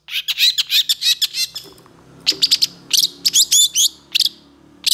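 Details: Excited long-tailed shrike delivering a varied song packed with imitated phrases, provoked by other shrikes; a fast run of raspy chirps, then spaced doublets and triplets of harsh, buzzy notes.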